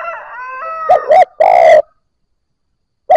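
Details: Spotted Dove, a newly caught bird beginning to coo. A different drawn-out harmonic call comes first, then a low cooing phrase of two short coos and a longer purring croo, with the next phrase just starting.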